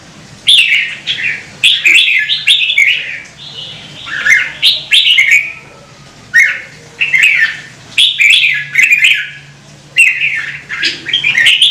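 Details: A kept red-whiskered bulbul from Vietnam, recorded to stimulate other birds to sing, delivers a long run of quick, chattering warbled phrases, some falling at their ends, repeated every second or two above a steady faint hum.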